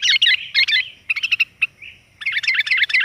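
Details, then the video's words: Sooty-headed bulbul female call meant to attract males, rich rapid warbling bursts separated by short pauses and a few isolated chirps, over a soft low hum. "BURUNG KUTILAN GAJOR, COCOK UNTUK PANCINGAN"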